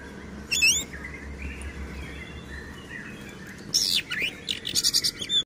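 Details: Oriental magpie-robin song opening with a single sweeping whistle, then a quiet stretch over steady low hum, ending in a burst of quick high chattering notes.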